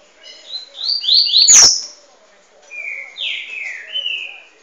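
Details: A double-collared seedeater training song: two quick phrases of high, sweet slurred whistles, some rising and some falling, with a sharp click between them.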